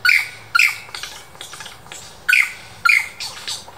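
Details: A Superb lyrebird mimic at the Dandenong Ranges Botanic Gardens gives sharp, loud shutter-like clicks in pairs, separated by softer descending zapping notes, rhythmic and abrupt.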